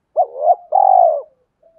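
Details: Spotted dove used to make other doves call: a swelling, wavering hoot followed by a longer low throbbing note that fades out, soft and clear.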